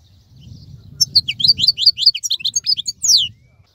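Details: Wild-type European goldfinch keeping its song during moulting season; after a low background rumble, a quick run of sharp, tinkling high notes and chirps ends in a downward slurred note.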